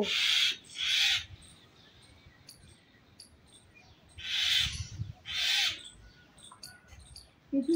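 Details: Myna fighting a snake: harsh, raspy screeches in paired bursts, two near the start and two more after a pause, each about half a second long, with faint thumps between.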